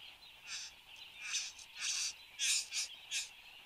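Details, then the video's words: Satin bowerbird in Australia, recorded 10 January 2015 at 8:02 am: six harsh, buzzy, hissing bursts in about three and a half seconds, irregularly spaced, over a steady high-pitched background drone. "Satin Bowerbird"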